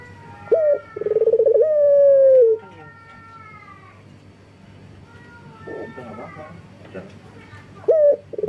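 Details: A local male collared dove in breeding condition calls to females. One full coo with a short note, rapid trill and long falling end, then a pause, then the next call's opening note.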